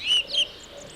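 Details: A song thrush, a bird of British parks and gardens, gives its clear, repetitive song: two clear, high whistled notes in quick succession, the second slightly higher, with faint thin sounds in the background.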